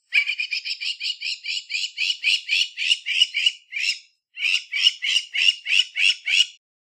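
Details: Crowned lapwing, a Southern African bird, gives loud, harsh, grating notes repeated rapidly, about three per second, in a steady series with one brief pause.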